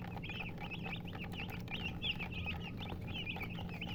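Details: Coloured chickens chirping together: dense, rapid high peeps and short squiggly notes with almost no gaps, over a steady low electrical-sounding hum.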